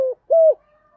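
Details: Caged lure spotted dove giving a brief mellow coo: a short low note, a pause, then a stronger, level, hollow coo that drops slightly at the end.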